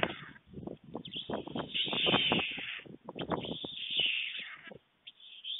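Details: Midday feeding at a white stork nest, Fohrde, Germany, 23 July 2019: fast irregular clattering with sustained high hissing wheezes layered above, fading to a brief quiet at the close.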